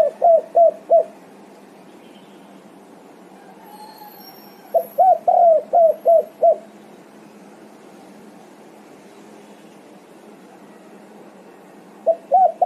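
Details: Spotted dove answering and calling its companions. Bursts of four to six quick, hollow, downslurred coos are spaced by long quiet pauses, with a short phrase at the end over a low steady hum.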